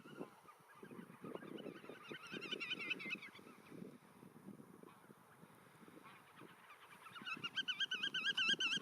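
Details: Several black-tailed godwits calling in a nature reserve, fast repeated wavering nasal notes, a burst midway, then louder, closer calls building at the end, with low rumbling noise underneath.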